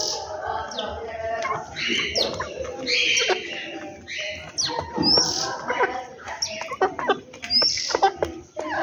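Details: Several birds calling in the morning at home, a busy overlapping chorus of sharp high chirps, short rising whistles and quick notes, with some lower murmuring sounds underneath.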